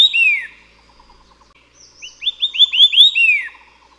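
A White-eared sibia gives loud, clear descending whistles, one opening note then a quick run of five or six slurred notes, over a faint background chatter.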